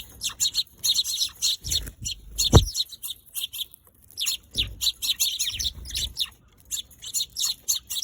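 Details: Eurasian tree sparrows chirping outdoors, bursts of short bright chirps in quick runs with brief pauses, a few low thumps between phrases.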